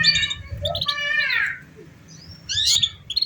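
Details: Canary song meant to prompt young canaries still learning to sing: loud harmonic notes sliding downward, then a quiet pause, followed by a sharp buzzy high burst and brief chirps.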